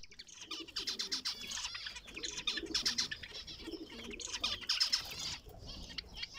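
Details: A breeder pair of zebra finches gives short, nasal, buzzy beeps in quick irregular bursts, with some wing flutter.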